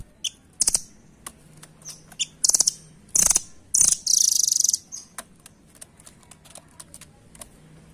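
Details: Velvet-fronted nuthatch (rambatan) giving scattered sharp chips that build into longer high, rattling trills, then trail off into sparse ticking notes against a low background hum.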